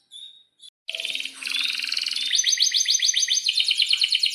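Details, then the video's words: Canary song meant as a lure to get other canaries singing, with a brief high whistle, then a loud, dense, continuous warbling roll of rapid repeated notes. "suara kenari gacor panjang AMPUH,, PANCINGAN KENARI AGAR BUNYI JADIKAN BURUNG KENARI GACOR Seketika"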